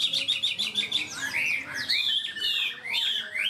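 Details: Caged Chinese hwamei singing in the strong high 'cao cầu' style, quick to start: a fast run of repeated high chirps at about two per second, then long slurred whistles that rise and fall, in a quiet indoor setting.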